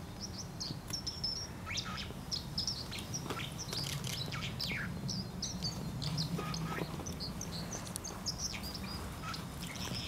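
A White-throated Dipper gives short, high, sharp chirps in quick, uneven bursts over a steady rush of running water.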